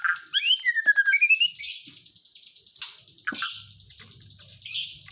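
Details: White-rumped shama song with kapas tembak fill: a bright rising whistled series, then buzzy high rattling trills repeated in bursts, with a faint low hum underneath.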